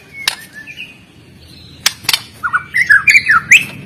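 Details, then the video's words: White-rumped shama from Medan, a fighter singer used to train birds that sing too little: scattered clicks and soft whistles, then a quick series of loud, twisting warbled notes. "MURAI BATU GACOR FIGHTER PENUH GAYA || Cocok untuk melatih mental."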